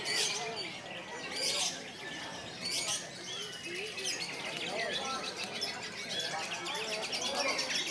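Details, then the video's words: Clear, long konslet song of a lovebird: rapid high twittering with loud scratchy bursts at first, then a continuous run of thin chirps and trills. "KICAUAN LOVE BIRD KONSLET RUN MAN GACOR ‼️ JERNIH DAN PANJANG ‼️"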